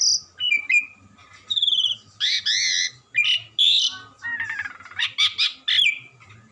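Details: Asian pied starling, a gacoran songbird, in continuous melodious song: a high whistle, wavering buzzy notes, harsh chattering bursts and quick rattled phrases follow one another, over a faint steady hum.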